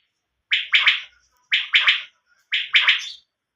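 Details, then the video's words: Quail calling: a crisp three-part note, one short burst then two quick ones, repeated about once a second in a quiet setting. "Batair sound nice sound"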